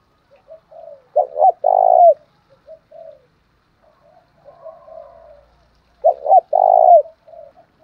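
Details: Spotted dove lure song aimed at rival males: two loud phrases, each a clipped double note and then a long buzzy falling coo, separated by quieter low murmured notes.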